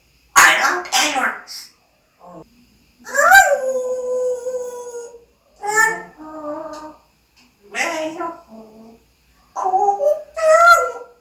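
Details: Pet parrot imitating Korean speech, including "ABC" and "thank you"; a string of separate vocal phrases, one a long tonal, sung-sounding note that slides down and holds, the rest choppy spoken syllables.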